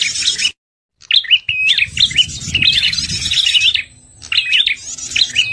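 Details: Red-headed prinia lure call for catching prinias, also used to stir birds gone quiet after moulting; fast sequences of sharp rising chirps and trills, a short silence after half a second, low background noise throughout.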